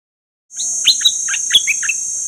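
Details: Dok taeng bird recorded for training birds and drawing in wild ones, singing a run of about six sharp, downslurred chirps over a steady, very high ringing hum, with a few clicks.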